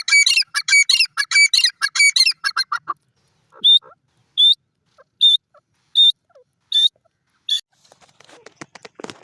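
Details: Francolin feeding, kept for crossing; quick harsh squawking notes, then evenly spaced clear whistled notes roughly every 0.8 seconds, ending in faint rustling clicks.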